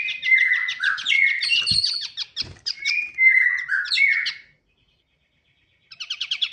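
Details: Pied triller, named by its local name kapasan kemiri, singing a busy, chattering song. Buzzy rapid trills mix with sharp, downslurred whistles in bursts over four seconds. A short silence follows, then another fast trill begins, with faint low thumps.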